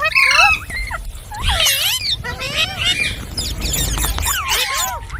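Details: Green parrot, likely rose-ringed parakeet, chirping: loud, bending whistled notes and harsh squawks that overlap in quick bursts, sliding up and down, with a low background rumble.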